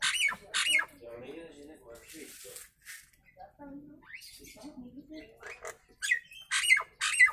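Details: A Nias hill myna's natural voice for teaching other birds: loud harsh squawks open and close the clip, with low talking-like harmonic murmurs and brief whistles in between.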